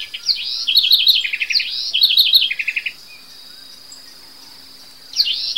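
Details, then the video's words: A house wren (corruíra) singing in the morning gives two quick bubbling, tumbling phrases of high rapid notes, then starts a third, over a steady high insect hum. "O Passarinho que te acorda toda manhã [CORRUÍRA]"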